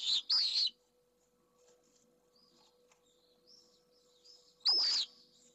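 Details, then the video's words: Pallid swift nesting in a box in Jerez de la Frontera, Spain, during a fight with an intruder over a nest holding a first egg; two loud harsh screams at the start and one near the end, faint trills between. "¡DEFENSA CONTRA UN INTRUSO! - Vencejo pálido"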